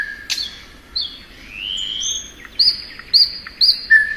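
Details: Spring song of a thrush nightingale: a sharp flick note, a long soft rising whistle, then three bright emphatic high notes spaced about half a second apart.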